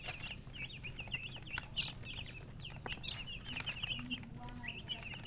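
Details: Baby chicken chicks chirping: many quick, high, slightly wavering peeps running continuously, several birds overlapping, over a low steady hum.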